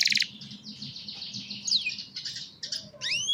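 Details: Young canaries singing to train other canaries, recorded on a cellphone: a rapid rattling trill opens, then a long run of varied warbled phrases and a few rising whistled sweeps at the end.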